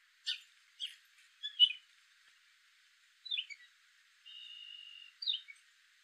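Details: Male gray catbird singing: sharp clicking chips, a squeaky slurred note, then after a pause a run of varied squeaks and a steady, even whistled note about a second long, followed by a quick falling phrase.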